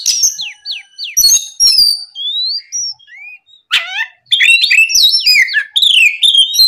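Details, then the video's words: Oriental magpie-robin singing in the morning to provoke rivals: clear whistled notes sliding up and down, short rising phrases, then a denser burst of harsh buzzy notes mixed with sweet whistles. "MEMANCING KACER LAWAN LEKAS BUNYI GACOR DIPAGI HARI, TERAPI SUARA PIKAT BURUNG KACER GACOR NGEPLONG"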